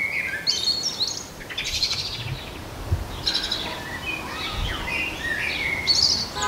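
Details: Garden setting with a blackbird giving dense, continuous song: fluty whistled notes mixed with high chirps and twittering flourishes throughout, a busy chorus of phrases, with a few low thumps underneath.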